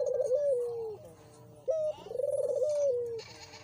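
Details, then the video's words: Loud dove cooing to draw a silent bird into calling: a pulsing rolled coo sliding down, a pause, a short flat note, then another long trembling coo falling away. "jika burung putermu tidak bunyi, PANCING PAKAI INI!!!"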